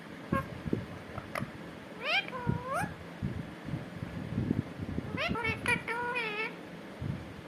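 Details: Parrot talking indoors, said to be saying "katore": two groups of nasal, harmonic, up-and-down syllables, one near the middle and one near the end, over a steady background of low rumbling and thumping noise.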